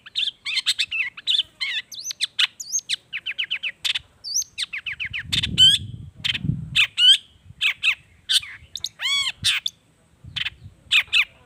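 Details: Long-tailed shrike singing lively, varied song filled with mimicked natural phrases: rapid high chirps, whistled slurs, quick trills and descending notes in a dense, nonstop run, with a soft low rumble near the middle.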